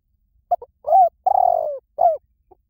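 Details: Spotted dove call in the 'liu tan' style, played as a lure to train doves to coo back in reply: a short double note, then a rising coo, a long throbbing drawn-out coo and a final falling coo, with a clean background.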